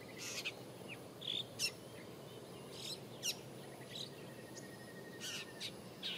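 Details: Long-tailed shrike (Lanius schach) at Lorong Halus on 24 April 2016 gives harsh, scratchy call notes at irregular intervals, about ten in six seconds, with a brief whistled note over a faint steady insect hum.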